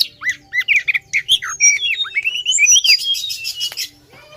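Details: Female Oriental magpie-robin, a lure call for the male: a string of separate curved whistled notes that speed up into a chattering run of high whistles and trills, then fade out.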